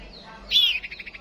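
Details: White-rumped shama, kept as a decoy bird for fighting: one loud, clear whistle that rises and then falls, followed at once by a quick run of short, evenly spaced notes, about eight per second.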